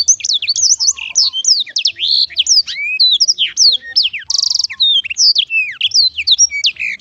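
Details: Black-throated canary in continuous, cheerful, melodious song: rapid, varied high whistles and downward-sweeping notes tumbling together without pause, with a short buzzy rattle near the middle and occasional lower trilled notes.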